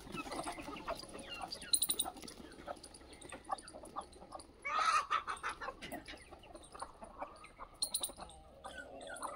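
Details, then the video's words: Aseel chickens on a free-range desi poultry farm in India with a low-cost shed. Scattered clucks and short squawks with a louder, drawn-out call burst near the middle, and other birds chirping in the background. "असील की आवाज"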